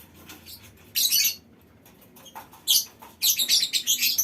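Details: Lovebirds in a mini aviary chattering as a colony: quiet murmuring broken by loud bursts of shrill, squawky notes, the last second dense with rapid repeated squeaks.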